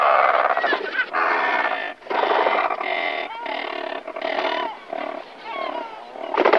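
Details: A group of Razorbills at their nests calls before flying off, a dense chorus of overlapping hoarse growls and groans, some notes sliding upward, with barely a pause between birds.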